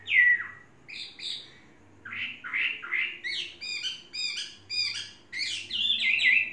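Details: Caged, tamed Chinese hwamei of three seasons giving separated bursts of harsh, buzzy and chattering notes, short clustered phrases with gaps between them, ending in a clearer whistled note; faint low hum underneath.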